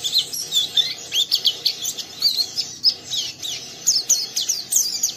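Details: Oriental white-eye, a young caged bird, chattering its rough ngeriwik song to stimulate a companion; thin high whistled squiggles and rapid twitters repeated in quick bursts over faint background hiss.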